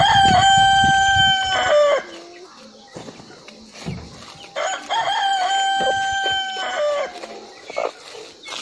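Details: Domestic rooster giving two full crows, harsh and drawn out, ending in a dropping tail note, with clucking and scratchy farmyard noise between them.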